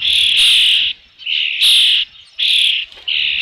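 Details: Osprey on its nest with a fish at Dunrovin Ranch, late afternoon of 3 June 2018: piercing high whistles, long drawn notes alternating with shorter ones, nearly continuous with short pauses.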